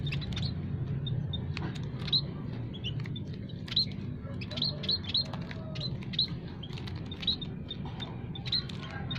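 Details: Munias, several kinds including Javan and scaly-breasted types, calling in an aviary as a trapping lure. Many short, high, sharp chirps scattered irregularly over a steady low hum.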